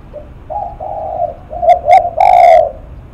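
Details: Close spotted dove, a 'lắc mặt' cooer, giving soft steady hums that rise into two short punchy coos and a loud, long, smooth closing coo; calm background.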